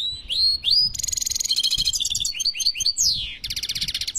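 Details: Song of a European goldfinch from Algeria: clear rising whistles followed by dense buzzy trills, a series of quick upswept chirps, a steep falling slur and a final rattling buzz.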